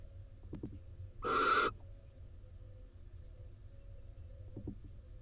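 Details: One short, harsh barn owl screech, breathy and broad, from a nest box in Israel during rain as the soaked male returns to the incubating female, with faint clicks and a low background rumble.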